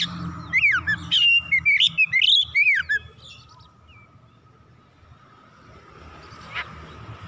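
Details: Oriental magpie-robin (kacer), worked up and singing its full repertoire, gives a three-second run of varied whistled, warbling notes with twisting pitch, then falls quiet apart from a faint steady background hum.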